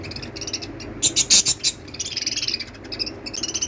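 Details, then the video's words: Lovebirds chirping: bursts of bright, shrill high-pitched notes, a loud cluster of sharp squeaks near the middle, then rapid repeated chattering chirps several per second through the rest. "love birds singing & chirping sounds"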